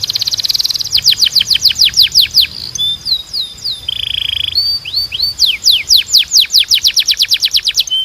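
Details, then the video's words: Canary song used for training other canaries: rapid series of bright downward-sweeping trill notes, a short buzzy low rolling tour midway, then fast repeated trills resuming, clean with no other sounds. "Melhor Som de Canário Para Treinar"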